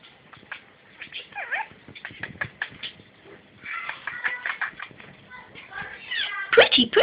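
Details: Male pet budgerigar talking, mimicking phrases like 'pretty boy' and 'what you doing': fast, buzzy, speech-like chatter mixed with bright chirps and warbles.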